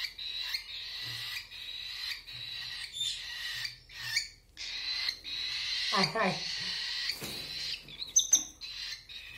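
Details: Hand-feeding cockatiel chicks keep up a steady, hissing, buzzy begging drone, interrupted by brief gaps, a short human utterance midway and a few sharp clicks.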